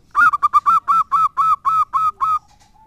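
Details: A zebra dove of local stock, singing hard as a lure bird, delivers a brisk, steady string of about eleven harmonic coo notes, slightly quickening at the start, then a faint tail tone.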